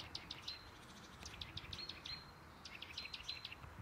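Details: Eurasian nuthatch at Žale cemetery, Ljubljana, Slovenia, on 18 February 2024, gives sharp, high chips in quick irregular bursts with a few short flat whistles mixed in, over a low background rumble.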